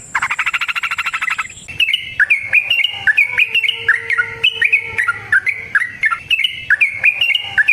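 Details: Yellow-vented bulbul (trucukan) in a long, rapid 'ngalas ropel panjang' song, used as a lure to get other bulbuls singing. It opens with a buzzy, harmonic burst. Then come fast, bubbly, liquid notes that rise and fall in quick runs, with a faint low steady tone beneath.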